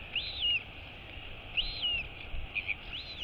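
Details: Royal albatross chick, female, wheeing to greet her mother at breakfast feeding, 23 August 2022. Drawn-out whistles rise, hold, then slide down, about one per second, over a hissing background.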